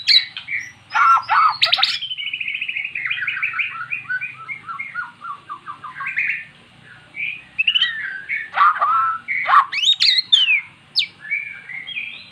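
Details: Mute magpie-robin singing after repeated playback of recorded magpie-robin song; long varied sequence of descending whistled notes in a rapid series, interrupted by harsh rasps and quick chirps.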